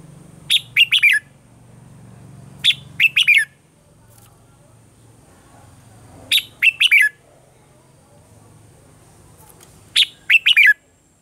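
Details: Red-whiskered bulbul morning song with a mature wild-type voice, used to train caged birds: four loud phrases, each a fast burst of three or four clipped, bright notes ending in a downward slur, separated by gaps of two to four seconds, low rumbling background.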